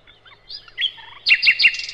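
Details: Nightingale, known in Indonesia as sikatan londo, in a master recording for training cage birds: soft high scattered notes, a thin drawn-out whistle, then three loud sharp chopped notes and a fast buzzy flutter.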